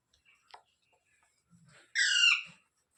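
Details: Parrot giving one loud, harsh squawk with stacked harmonics that lasts about half a second, after soft clicks and brief faint rustles.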